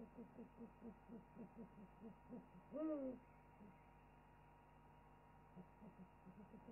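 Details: Owl chorus before the bird preens and settles: soft, low hoots repeated in a steady rhythm about every quarter second, with one louder, rising then falling note in the middle, over a quiet background hum.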